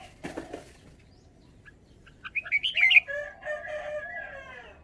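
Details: Caged red-whiskered bulbul showing its song phrasing: after a brief rustle, a quick run of bright chirped and warbled notes, followed by a softer, lower drawn-out tone.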